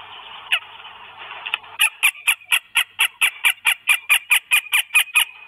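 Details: Northern goshawk with food in Estonia on 1 May 2022: after two single harsh notes, a long, steady series of loud, nasal, cackling calls repeated about four times a second, over a faint background chorus of small songbirds.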